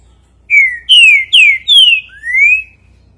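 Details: Green-winged saltator song in the five-note style called bom dia seu Chico boi: five loud clear whistles, the first four sliding downward, the last rising, with a faint low hum behind.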